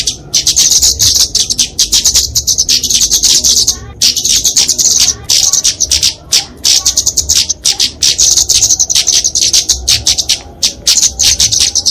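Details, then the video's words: Fighting song of a flowerpecker known as kemade, for tutoring and luring songbirds: long stretches of shrill rapid chatter, paused every few seconds. "Kicauan Kemade Tarung Untuk Masteran&Pikatan Burung Kecil"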